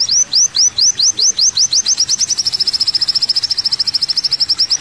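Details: Masteran track of an olive-backed sunbird, locally kolibri wulung: spaced, bright upslurred whistles about four per second that speed into a dense, tinkling trill.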